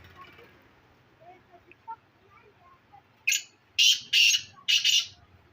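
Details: Black francolin calling near Khushab: after about three seconds of quiet, four loud harsh grating bursts in quick succession, each broad and buzzy, spaced roughly half a second apart; faint background noise and distant speech.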